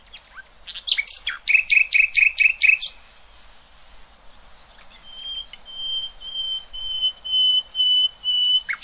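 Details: Nightingale song for tutoring young goldfinches and hybrids: a quick series of repeated emphatic notes, then a long, steady, pure whistle held for several seconds before the next phrase begins.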